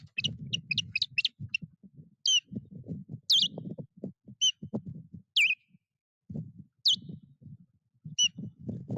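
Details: During a foreign osprey's attack on a nest in Puszcza Napiwodzko-Ramucka forest, 14 April 2023, osprey gives loud, shrill whistled cries, some quick and clipped, others slurred, spaced by seconds, over low bumping and rustling.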